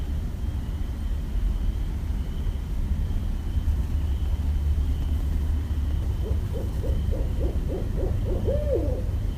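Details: Westchester, New York, 5.1.17: after several seconds of low rumble, a barred owl gives an accelerating series of short hoots that ends in a drawn-out, downward-slurred hoot.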